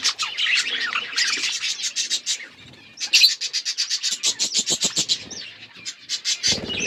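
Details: A flock of budgerigars chirping together: dense, overlapping high chatter and rapid twittering chirps, nearly continuous, with a brief lull near the middle and a soft low rustle at the end.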